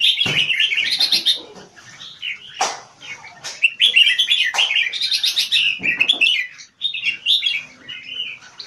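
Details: Red-whiskered bulbul in keke competition singing, a caged Singapore bird with two to three hours of stamina; almost continuous bright chattering and warbled notes in quick repeated bursts, with occasional clicks.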